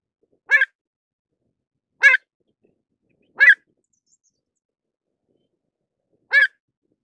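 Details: Pied avocet calling: four short, clipped, harsh notes with a ringing upper tone, spaced irregularly over seven seconds against an otherwise silent background.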